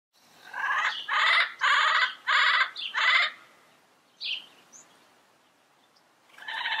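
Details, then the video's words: Wild yellow-headed parrot in its natural environment giving a run of five harsh, buzzy, banded squawks about a second apart, then a short gap and a single grating call rising at the end. "Yellow-Headed Parrot Sounds - Natural Bird Calls and Songs in the Wild"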